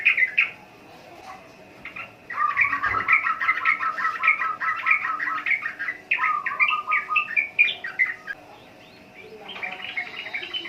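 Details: Sooty-headed bulbul chattering at length: long runs of fast, repeated, slightly descending notes in two main bouts lasting several seconds each, with a brief thump between them and steady low hum.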